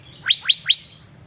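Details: Three loud, evenly spaced whistles from a caged Asian fairy-bluebird being sunned in Banjarmasin, each sweeping steeply upward, about a fifth of a second apart.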